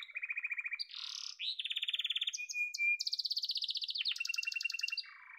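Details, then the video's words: Song of a yellow canary: a low pulsed trill, a swelling buzzy note, a mid-pitched roll, a brief pure whistle, then a bright high rapid trill over a lower chatter. "Muhteşem Kanarya Sesi: Sarı Kanarya'nın Efsanevi Ötüşü"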